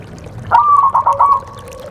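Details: Zebra dove call used as a lure to prompt a reluctant bird to sing during the rainy season; one soft, mellow cooing phrase of about a second, with a drawn-out note breaking into quick rolling pulses, then quiet.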